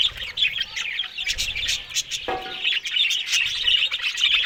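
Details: Morning chatter of Australian budgies eating green food: rapid, overlapping high chirps and warbles run steadily throughout, with a brief rasping sweep near the middle.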